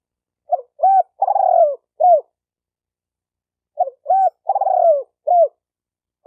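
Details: Spotted dove cooing, a call for training a newly caught dove: two phrases, each a short note, a looped coo, a long burry falling coo and a final looped coo, about three seconds apart, clean with no other sounds.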